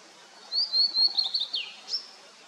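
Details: Blue-and-white flycatcher song in rain-soaked, misty mountains: a series of high, clear whistles that slide down into a slurred drop, ending with a short sharp upward note.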